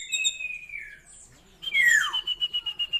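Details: Asian glossy starling, known locally as raja perling, giving a varied song: a high descending whistle, a sharp swooping note, then a steady high tone broken into pulses.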